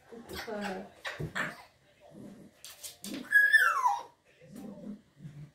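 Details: A grey parrot chatters in short speech-like phrases, with a bright falling whistle and low, gruff bark-like notes, its "oy" call likened to a dog's bark; a person talks quietly nearby.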